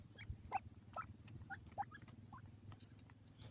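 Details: Young dakhni teetar (grey francolin) chicks interacting: quick thin cheeps mixed with sharp tapping and scratching clicks, the peeps fading out toward the end, above a low droning hum.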